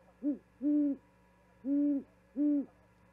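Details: Owl at an osprey nest in Charlo, Montana, 13 February 2022, arriving with a vole for its mate and calling until she responds: one short low hoot, then three longer steady hoots spaced about half a second to one second apart.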